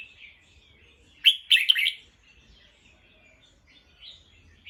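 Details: Bulbul turned alert by a sound gives a quick harsh three-part chatter, with faint twittering before and after.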